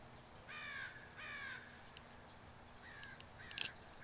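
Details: Crows flocking in waves onto grassland at dawn, 3 July 2014, about a hundred birds. Two drawn-out rasping caws sound half a second apart, then a pause, a shorter caw and a brief clatter of sharper notes.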